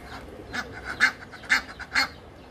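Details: Egyptian geese calling: four loud, hoarse honks spaced about half a second apart, each with a nasal ring, and softer short notes in between.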